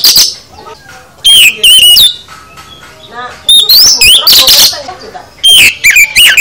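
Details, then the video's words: Oriental magpie-robin (kacer) in full 'isian' song: scattered loud phrases of high slurred whistles and harsh bursts, separated by quieter gaps of around a second. "Kicau KACER Full Isian"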